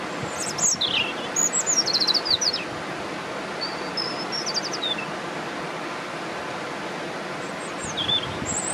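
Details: A European robin sings at Swans Park, Buncrana: high, thin, varied phrases of tinkling notes and quick trills, broken by short pauses, over a steady background hiss of wind or distant traffic.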